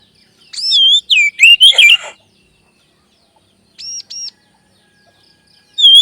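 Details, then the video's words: Whistled magpie-robin lure song meant to spur other birds of its kind into song: a fast run of rising and falling notes with harsh edges, silence, two short arched notes, and a final whistle starting at the end. "SUARA PANCINGAN BURUNG KACER AGAR CEPAT BUNYI DAN GACOR"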